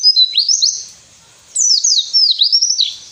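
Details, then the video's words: White-eye song for prompting lazy captive birds to sing: two bright bursts of clear, high, down-slurred whistled notes, separated by about half a second of quiet. "masteran burung pleci males bunyi"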